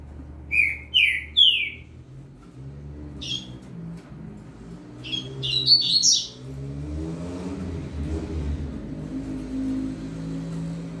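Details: Double-collared seedeater, a young bird singing for training, with a saltator behind: three quick down-slurred notes, scattered chips, then a short twitter, while a car engine rumbles and revs through the second half.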